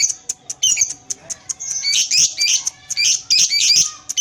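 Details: Lovebird, of the paud type, giving the long 'ngekek' chatter while moving its tail: high, shrill, rapid squeaky chattering in bursts of about half a second, mixed with sharp clicks.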